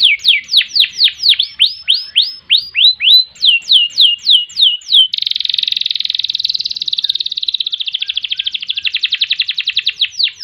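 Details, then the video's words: Canary (kenari) in full, long song with ngerek, ngerol and nembak styles, meant for tutoring and prompting other birds: rapid falling whistled sweeps repeated several times a second, then a long, fast, buzzy rolling trill. "Kenari Gacor Panjang Ngerek Ngerol Nembak Mantap Buat Masteran dan Pancingan | Bird Singing"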